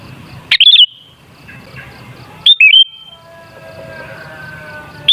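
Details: Sooty-headed bulbul lure song to set bulbuls singing: crisp bubbling phrases of a few quick whistled notes, two seconds apart, followed by faint drawn-out tones in the background.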